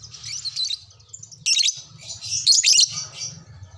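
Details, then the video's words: Lovebird chattering in reply to another lovebird. Dense, high, scratchy chirps and squeaky twitters come in irregular bursts, loudest near the middle and end, over a steady low hum. "sekali pancing langsung nyaut burung LOVEBRID Lain"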